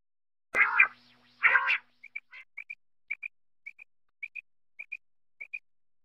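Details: Quail in Khyber Pakhtunkhwa, Pakistan, tied to quail hunting and netting; two harsh raspy bursts, then short paired clipped notes repeated roughly every half second, with no other sounds.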